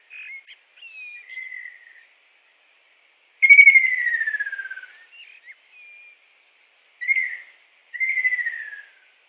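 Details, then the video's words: Kingfisher in the wild gives shrill, slightly rattling notes sliding downward, four or five phrases a second or two apart, the longest over a second; nothing else heard. "KICAU BURUNG TENGKEK RAJA UDANG di alam liar"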